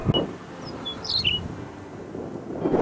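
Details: A Chirruping Wedgebill in saltbush on the Lake Eyre Basin plains gives a few quick, high, whistled chirps within about a second, partly buried under steady, rumbling wind.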